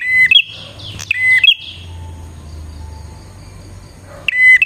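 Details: Bar-winged prinia song used as a lure for wild prinias: brief high two-part phrases, a steady note then a rising flick, at the start and end, with a long quiet gap and low background hum between.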